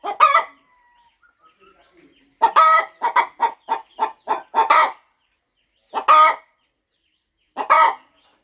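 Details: A farm hen settling on eggs about to hatch gives a loud opening cluck, then a fast string of about eight clucks, followed by two isolated drawn clucks.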